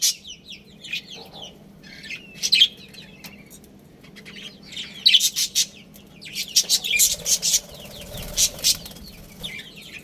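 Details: Budgerigars, a breeding pair within a budgie family group: scattered high chirps and short warbled notes, with louder bursts of overlapping chatter around the middle and near the end, over a low steady hum.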